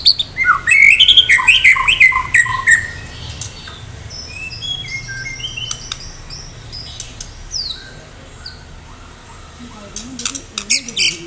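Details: A Medan white-rumped shama in full song ahead of a singing contest: a rapid burst of rich rising and falling whistles, then thinner scattered notes and clicks, with a fresh chattering run near the end.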